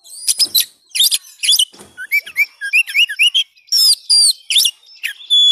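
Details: Oriental magpie-robin (kacer) singing a full, lively song meant to stimulate a bird that has stopped singing: harsh chattering bursts mixed with rising and falling whistles, ending in a long, steady high whistle.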